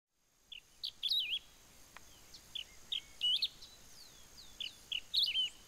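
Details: A Wedge-tailed grass-finch in Ouro Branco, Minas Gerais, Brazil, sings bright, high chirps and slurred whistles in quick clusters about once a second, over a faint, steady high-pitched insect hum.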